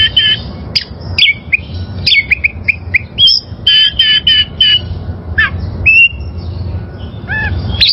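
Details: Song of a wild oriental magpie-robin, used for training caged birds: a busy stream of whistles, squeaky chips and downward slurs, some notes sharp and scratchy, delivered in fast irregular bursts over low background hum.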